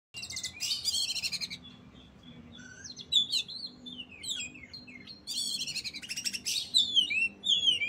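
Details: Oriental magpie-robin in full song: rapid, high buzzy trills alternating with varied whistled slurs and sweeping rising and falling notes, delivered in energetic bursts.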